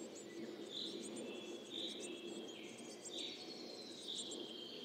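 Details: Coal tit at a nest during 2024 comings and goings, taped with a Telinga microphone: bright high chirps about once a second, with faint thin whistled lines and brief high ticking above a soft rushing hiss.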